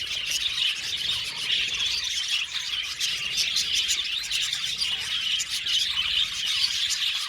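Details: A budgerigar colony keeps up lively, high chirping and warbling, with many voices overlapping in an even, busy chorus.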